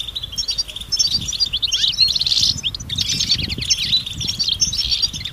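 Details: European goldfinches chattering together outdoors in nature, mating and readiness calls said to stir silent males into song: dense, overlapping high twitters and tinkling notes without pause, over a low rumble of wind or handling noise.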